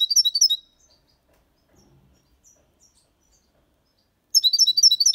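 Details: Six-month-old goldfinch singing in Malaga copy style: a fast, jangling run of high twittering notes, a long near-silent pause with faint soft sounds, then another quick bright burst.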